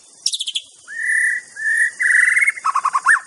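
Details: White-rumped shama song from Aceh: a burst of rapid high notes, then long clear whistles held level near one pitch, ending in quick repeated lower notes and a short rising flourish; a steady high hiss runs underneath.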